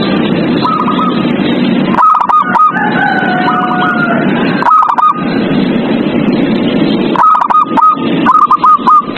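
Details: Zebra dove song played at night as a lure to get captive doves singing: short repeated cooing notes in quick stuttering bursts, pausing between phrases, over a constant loud broadband hiss.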